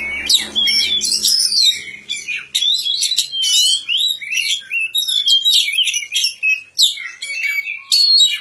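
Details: Long, continuous Oriental magpie-robin song mixing sweet whistles, harsh chatter and rapid mimic-like notes at high pitch, barely pausing. A low rumbling background fades out in the first two seconds.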